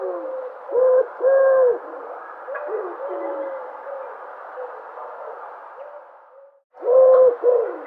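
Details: Cooing dove: two loud, steady hooting notes in quick succession, then a stretch of softer, muffled coos, a brief break, and another strong coo with a shorter one after it.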